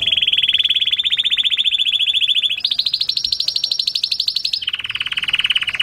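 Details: Canary singing to stimulate mating: a long rapid rolling trill at one pitch, jumping higher for a second roll, then dropping to a lower trill.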